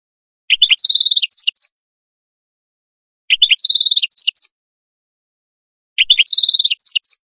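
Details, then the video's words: Atlantic canary singing three short bursts about every two and a half seconds, each a quick series of bright chirps sliding into a high rolling trill with sharp ending notes, in otherwise silent surroundings. "تغريد القادوس لاكونكورد"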